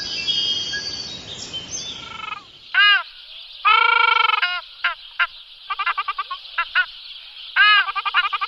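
Ruddy shelducks give loud, nasal, honking calls, some drawn out and others in quick stuttering runs, after a brief rushing noise at the start.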